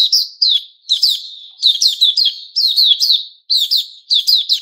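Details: Loud white-rumped shama song from 29 August 2021, sharp downslurred whistles given in pairs and trios, phrases repeating roughly every second with clear ringing overtones.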